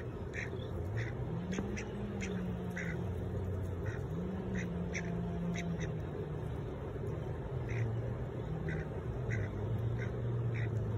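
Ducks give short, rough quacks scattered every second or so over a constant low, wavering hum and background noise.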